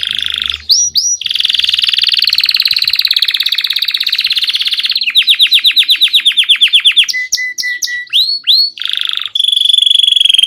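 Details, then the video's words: Belgian canary song made of fast rolling trills and buzzy sustained tours, shifting between rapid rising sweeps, a dry rattling stretch and clear whistled notes, all loud and high-pitched with a clean background. "Som original do canário belga/original sound of the Belgian canary."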